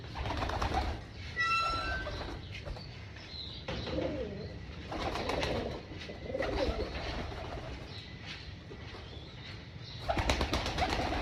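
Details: Rooftop farm pigeons at breakfast feeding time: soft low coos and murmurs, some wing flapping, a brief high chirping bird, over steady broadband background noise.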